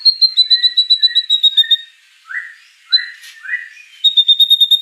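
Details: White-rumped shama song rich in fill-in phrases: a fast run of high, clear whistled notes, a pause with lower rising slurred notes, then another quick bright whistled series at the end.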